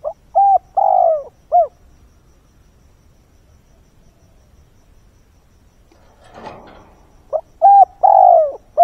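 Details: Decoy spotted dove cooing at dawn to lure wild birds: a soft, low hooting coo phrase of four or five notes, the longer middle note sliding down, repeated after a pause, with a brief rustle between.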